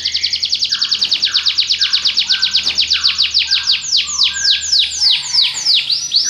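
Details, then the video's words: Belgian canary singing a long fast roll of repeated notes, about six per second, then slowing into broad descending swoops, with lower drawn notes beneath and a faint low hum in the background. "espetacular canto canário belga"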